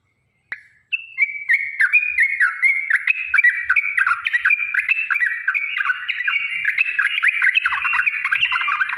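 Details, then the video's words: Long, rapid fighting song of yellow-vented bulbul, played as a lure to make other bulbuls answer: after a short gap, a dense, continuous stream of gurgling, warbled notes that rise and fall quickly and never pause. "trucukan gacor TARUNG ROPEL PANJANG"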